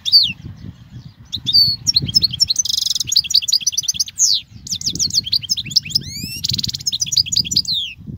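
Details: European goldfinch song meant to tutor young goldfinches, continuous high twittering with quick trills, buzzy rattles and liquid rising and falling notes throughout, over a faint low rumble.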